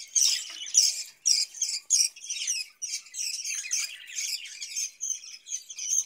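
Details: Budgerigars raised in a cage chatter with rapid high chirps and scratchy warbled phrases, loud bursts early on easing into softer, steadier twittering.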